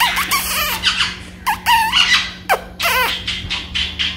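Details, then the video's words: A conure hiding in a laundry closet gives loud harsh squawks and squeals in short bursts, some with wavering rising and falling tones, repeated irregularly, with a steady low electrical hum beneath. "Gir tells tales from closet"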